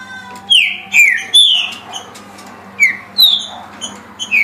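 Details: Green-winged saltator delivering 17 songs a minute, its clear whistled notes dropping in pitch in pairs and triplets, separated by pauses of over a second, with a soft steady hum beneath.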